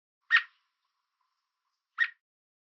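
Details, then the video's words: Two emphatic, clipped chirps roughly a second and a half apart from an American robin on a fence in Southern Ontario, Canada, warning an intruder to keep away. No other sounds. "American Robin Chirping Sound"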